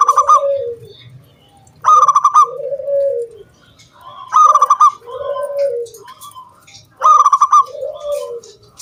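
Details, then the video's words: Local wild zebra dove in song, meant to entice other doves to sing: a crisp high trilled burst followed by a low descending coo, repeated about every two and a half seconds, three full phrases. "SUARA KRISTAL KUNG BULAT PANCINGAN SANGAT AMPUH BURUNG PERKUTUT GACOR MANGGUNG"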